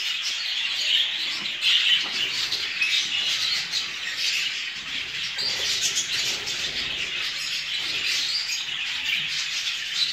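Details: A dense, continuous chatter of many show (jumbo) budgerigars kept for breeding, with bright warbles, chirps and squawks overlapping without pause throughout.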